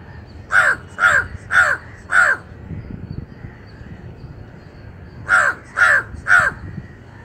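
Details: Gallinule bringing nesting materials: a run of four rasping, cawing notes at an even half-second pace, a pause of about three seconds, then three more, with soft low background noise.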